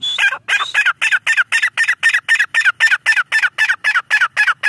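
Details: Black francolin, a female teetar, gives a fast, steady run of harsh clucking notes, about four per second, evenly spaced and loud throughout.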